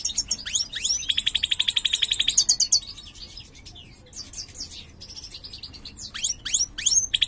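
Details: Mutant major-type European goldfinch kept in a cage, said to sing poorly: rapid buzzy trill of repeated notes, a pause, then scattered high twittering slurs and chirps.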